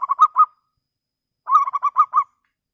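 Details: A local lure-bird zebra dove, kept for calling out rivals, gives clear song: the end of one rolling coo phrase, a pause, then a full phrase of six rapid, evenly pitched notes.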